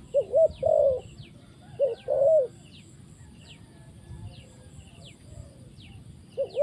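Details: Spotted dove decoy brought down to the ground while trapping, uttering two-part coo phrases, a quick double note and a long mellow croo, separated by pauses of a few seconds, with faint descending whistles of other birds.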